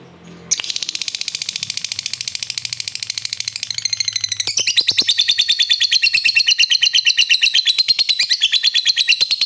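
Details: Lovebird kept by hobbyists, giving a long 'ngekek' trill meant to stir up other lovebirds: after a brief start, a rapid buzzy high chatter runs unbroken for about nine seconds, about three notes per second, growing denser and louder.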